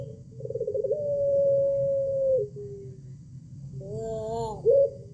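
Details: A Pelung turtle dove, used as a lure to prompt others to call, gives a long, drawn-out mellow coo held on one low note for about two seconds, then a shorter rising-and-falling coo, over a steady low hum.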